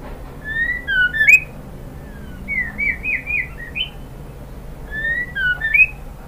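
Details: Female White-rumped shama calling a male. Short phrases of slurred, clear whistles, each dipping then rising, repeated three times with pauses of about a second between phrases, over a faint low hum.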